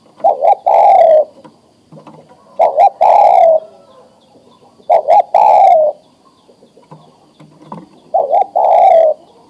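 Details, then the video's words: Spotted dove, a breeding-ready adult male, cooing to summon a female for mating: four repeated phrases of two quick clipped notes and a drawn-out falling coo, roughly every two and a half seconds, faint soft sounds between. "Suara Tekukur Jantan Memanggil Betina Siap Di Kawinkan"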